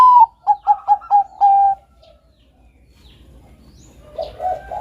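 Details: Bangkok-type zebra dove (perkutut) in full, melodious song, used as a master recording for training doves: a loud sliding coo, then a rapid stuttered series of short, evenly pitched coos ending in one long held note.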